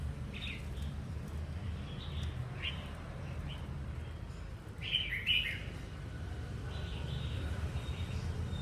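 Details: Caged red-whiskered bulbul, wild-caught and called a keen singer, utters scattered short chirpy warbles, the loudest cluster around the middle, against constant low rumbling noise.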